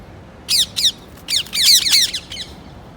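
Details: A quick run of overlapping harsh parrot squawks, two notes then a tight burst of several merged rasps, then a final pair.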